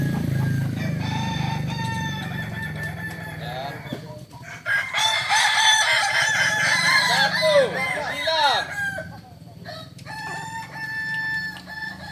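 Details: Kokok Balenggek roosters crowing at a practice contest in Ampang Kualo, Solok city. Sustained crows over a low rumble build into a dense middle section of curved, tiered crow notes from several birds, then trailing crows.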